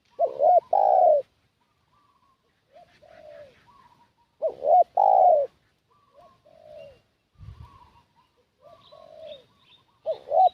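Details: Decoy spotted dove calling to lure in wild doves, with four loud cooing phrases spaced about three seconds apart. Each is a bent double note and a drawn-out coo; quieter coos and a brief low thump fill the pauses.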